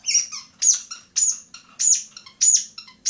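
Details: Long-tailed shrike from Bobotsari. Scratchy, squeaky bursts come about every half second, each followed by a few quick, thinner notes.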